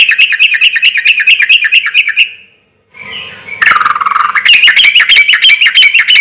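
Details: Loud sooty-headed bulbul song with a relaxed rhythm, played as a lure to draw quick replies from other bulbuls: long runs of rapid bubbly, chattering notes broken by a brief silent pause.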